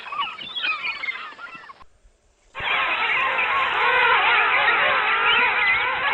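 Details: Birds calling in the wild: brief mixed whistling, a gap of silence, then a loud, steady wall of countless overlapping, wavering notes from a large group of birds.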